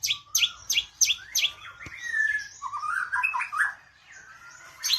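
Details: Magpie-robin giving a burst of four quick high chirps, then a long varied warble of slurred whistles and trills that fades toward the end and closes on one more sharp chirp.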